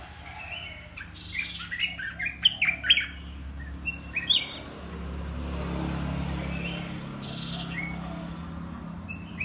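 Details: Caged red-whiskered bulbul singing Dok Taeng blended with Ta Daeng style: a string of lively chirped phrases in the first half, then a passing vehicle's rumble swells while soft notes continue.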